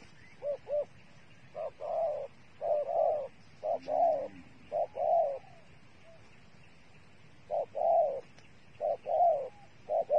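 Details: Dove kept as bait for trapping, giving low, hollow double coos in short bursts roughly once a second, with brief pauses between phrases and a quiet rural background.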